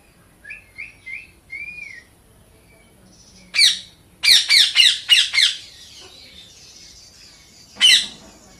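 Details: Pet Indian ringneck parakeet playing: a few soft rising chirps, then a rapid series of five loud harsh squawks, and one more sharp squawk after a short pause.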